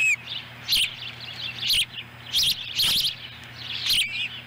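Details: At a Montana osprey nest in Lolo, July 18, 2017, with the female bringing a fish for the chicks. Five or six separate bursts of shrill chirping, some doubled, are spaced roughly half a second apart over a low hum.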